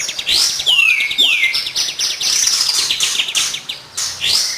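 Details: Kapas tembak singing as a training lure for songbirds: steep downward whistled swoops give way to a rapid, continuous high twittering with quick repeated trills and short pauses.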